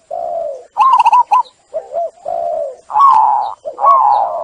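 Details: Zebra dove song used as a lure to get doves stressed by trapping cooing again: low purring coos alternate with higher, warbled, stuttering phrases, several bursts over a few seconds.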